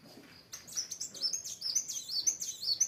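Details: Sunbird (kolibri wulung) singing in full, eager voice: after a brief pause, a rapid stream of very high, thin twittering chirps and slurred whistles, tumbling up and down without a break.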